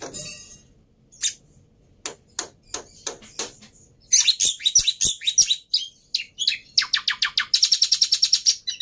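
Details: Lively black-winged myna singing as a lure to restart silent mynas: scattered sharp clicks at first, then dense bursts of harsh chattering notes mixed with high squeaky whistles.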